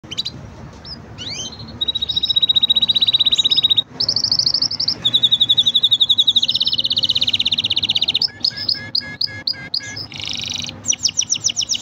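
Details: Green canary singing: pure whistled notes near the top of the range, long steady trills held for about two seconds, then quick rising chirps and rapid repeated notes toward the end.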